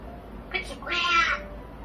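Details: Pet parrot chattering indoors: a short nasal squeak followed by a longer harmonic, voice-like call, over steady low room noise.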